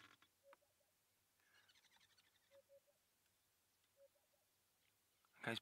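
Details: Male African hoopoe, skulking near the base of thick bushes and puffing up his neck to push air through the call, giving soft, low hollow 'hoop' notes in groups of two or three, calling for females; twittering from other birds and a loud knock at the end.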